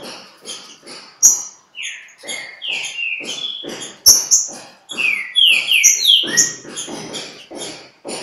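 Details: At Pedra Azul, a green-winged saltator sings in a dispute with a free bird. Repeated rounded whistled notes fall and slide over several seconds, mixed with high chirps, brief clicks and a running series of noisy pulses.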